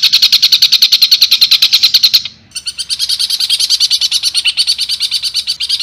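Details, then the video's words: A long-tailed shrike gives a loud, bright stream of rapid, evenly repeated chattering notes, about three per second, broken by one brief pause; rapid imitative song used as a training recording for young shrikes. "Cendet Full Tembakan Kuntilanak"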